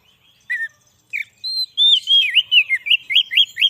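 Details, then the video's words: White-rumped shama song used as a lure to trap wild shamas in the forest and to excite caged birds: sparse opening notes, then a rapid run of clear, looping whistled phrases rising and falling, repeated several times a second. "suara burung kacer cocok buat pikat burung kacer di huta liat dan cocok buat menaikan emosi kacer"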